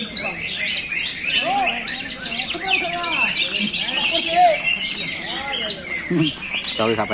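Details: A captive greater green leafbird in a singing session on 23 August 2021 pours out a rapid, varied stream of bright whistles, chirps and slurred notes, with people talking in the background.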